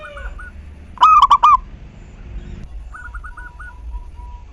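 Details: Local zebra dove song meant to stimulate other doves into singing. One strong phrase of four rolling coos, then quieter, distant short coos in a quick series.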